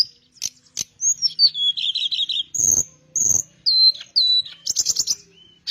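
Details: A Malay flycatcher (teledekan melayu) sings vigorously ('gacor'): a falling whistled phrase into a buzzy trill, clear high sustained whistles, down-slurs and a fast stuttered burst near the end, with brief low rustles.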